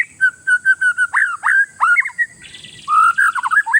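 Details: Oriental magpie-robin, a territorial bird, singing to provoke rival birds: a run of short, even whistled notes, then loud swooping slurred phrases, ending in a quick warbling burst. A faint low rumble sits underneath.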